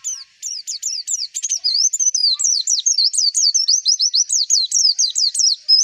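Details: White-eye (pleci) lure song meant to prompt other white-eyes to start singing and raise breeding drive: a rapid, high, continuous string of zigzagging chirped notes, about four or five per second, sweeping up and down without pause.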